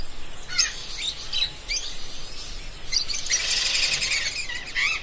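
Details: A parrot gives short squeaky chirps with sharp downward sweeps, followed by a longer burst of harsh, noisy squawking.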